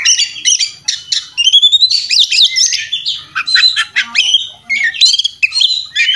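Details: Oriental magpie-robin fighting song (kacer tarung) in the intense ngobra style, full of inserted phrases, used as a master recording: dense, fast bursts of sharp chirps, whistles and rattles, rising and falling without pause.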